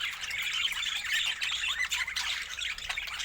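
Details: Steady budgie warbling: rapid squeaky chirps and short whistles pour out without pause.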